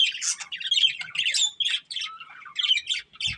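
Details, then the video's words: Breeding pair of budgerigars kept as pets, giving rapid chattering warbles and squeaky chirps in a continuous, varied stream, with short rising whistles and buzzy notes packed together. "Beautiful Budgies Chirping Sounds"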